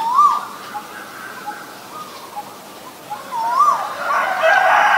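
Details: Asian koel whistling two rising, upslurred notes about three seconds apart, with short soft notes in between and a loud burst from a rooster crowing near the end.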